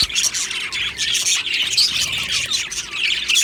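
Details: Colony of happy budgies in an aviary producing a thick wall of chirps, whistled squeaks and grating chatter from many birds, steady and loud with no breaks.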